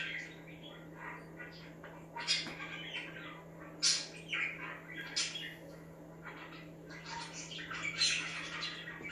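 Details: Budgies chirping to make other budgies active: bursts of scratchy, bright chirps and squawky notes in irregular clusters, louder flurries near the middle and end, over a steady low electrical hum.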